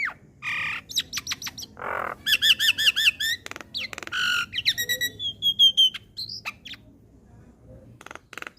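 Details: Javan myna training audio meant for young birds, with rich fill-ins. Varied tonal whistles include wavering, warbled notes, harsh buzzy blasts and sharp clicks, with thin high whistles toward the end.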